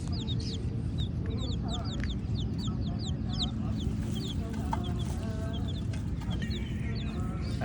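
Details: Baby black and white chicks peeping, with rapid clusters of thin high descending chirps early on, then sparser peeps, set against a continuous low-frequency rumble.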